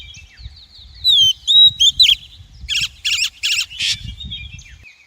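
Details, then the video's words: Female Oriental magpie-robin used as a trapping and male-training lure: high descending whistles followed by a series of harsh, buzzy chattering notes repeated about twice a second, over faint low background rumble. "Tiếng chim Chòe than mái kích bổi, luyện giọng bổi, bẫy chòe đỉnh nhất hay nhất"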